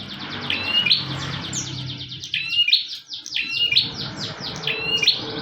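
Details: Bar-winged prinia in lively song, for use in training other birds: dense run of high, overlapping chirped phrases with sharp upslurred ends, almost continuous, against a low hum and background noise.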